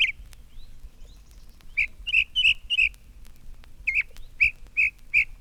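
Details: A Northern Mockingbird, a northward wanderer on a telegraph pole by a field in spring, sings bright, chirpy notes, repeating the same little group four or five times in quick runs before pausing, over a low hum.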